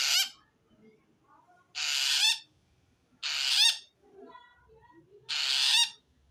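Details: Four grating, noisy screeches from a long-tailed shrike calling wild birds of its kind, a call said to mark feeling threatened by another shrike; bursts last about half a second, separated by one to two seconds of near quiet.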